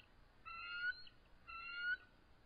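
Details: Resident eagles at their nest, visibly stressed and calling during a territorial clash with an adult intruder on a March 2014 evening: two clear, drawn, slightly rising whistles, each about half a second long, one second apart.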